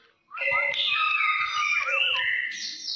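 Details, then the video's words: Brown oriole singing in an aggressive style: a loud, sustained, warbling phrase with layered whistled and harsh notes around mid-high pitch, shifting and rising toward the end. "Kicauan Kepodang Coklat Gaya Agresif"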